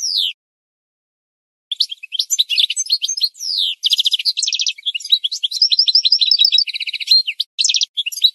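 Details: Singing goldfinch, a training recording for birds: a brief opening note, then a long, fast, jangling phrase mixing twitters, buzzy repeated trills and rattling series, almost unbroken to the end.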